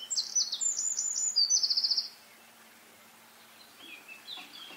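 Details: Eurasian wren singing: a rapid, high, metallic outpouring of trills and sharp notes lasting about two seconds, then a near-silent pause before a fainter high twittering burst at the end.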